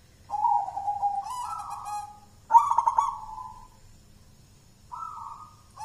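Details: Local wild-born zebra dove from Mojopahit, Java, Indonesia, raised from a young chick and a champion in song contests, cooing in low, soft phrases: a rolling, stepped coo near one pitch, then a stuttering, bubbling burst, with pauses between phrases.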